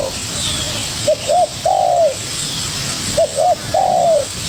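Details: ['Spotted dove, a young wild bird, calls hard against a decoy: two clear phrases, each two brief rising coos then one long wavering falling coo, about two seconds apart.']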